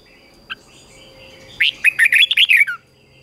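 A red-whiskered bulbul sings a quick, bubbly phrase of about eight liquid, warbled notes, opened by a single sharp note, over a faint steady hum.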